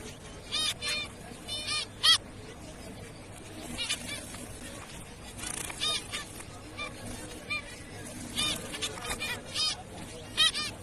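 Zebra finches give short, nasal, toy-trumpet beeps, several birds calling in quick irregular bursts over a soft background hiss.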